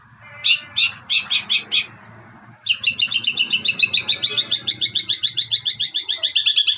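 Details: Long-tailed shrike (cendet) master song with mimicry used for training songbirds: loud rapid trills repeated about three times a second, high and buzzy, after a short series of separate chattering notes.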